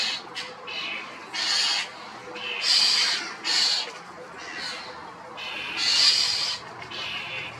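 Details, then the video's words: Common starling calling loudly, a string of harsh, breathy screeches, several drawn out for about half a second, spaced irregularly against a noisy background. "Common Starling calls are loud"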